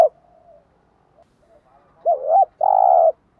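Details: Spotted dove giving lure cooing meant to make wild doves answer: soft low murmurs, then a loud arched double coo and a long, steady, rich coo near the end.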